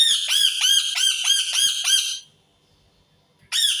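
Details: Indian ringneck parakeet gives six fast, grating screeches in a row, falls silent for over a second, then starts screaming again.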